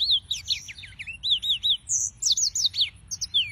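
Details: Yellow-fronted canary delivering a busy string of high, arched whistles and fast twittering notes, several similar notes in quick succession, loud and close throughout.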